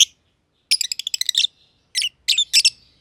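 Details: Aviary lovebirds, green personata and green pied personata, with one rapid rattling run of about ten quick chirps, then a few loud separate chirps. A faint low hum sits underneath.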